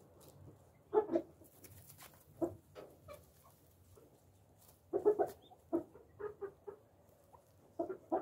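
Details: Tame pet Japanese (Coturnix) quail, one of four on a farm, being patted and hand-fed, give soft, low clucks and short chirps in irregular bursts with faint handling rustles; much background noise is Japanese bantams.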